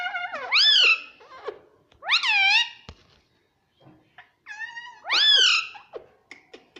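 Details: Pet talking parrot in a room, known for saying "mummy": loud, nasal, harmonic syllables in pairs, each rising then falling in pitch, separated by short pauses with small clicks.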